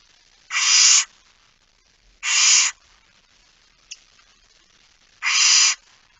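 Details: Barn owl in a nest box at night, Fryslân, Netherlands, September 2019, with a small chick: three loud harsh hissing screeches, each about half a second, spaced irregularly over six seconds, with a brief click between.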